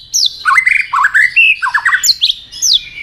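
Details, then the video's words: Fired-up white-rumped shama flicking its tail while fight-singing: a loud, varied song of descending high whistles, rising slurs, and quick trilled notes in rapid phrases. "kích lửa cho chòe lửa hót"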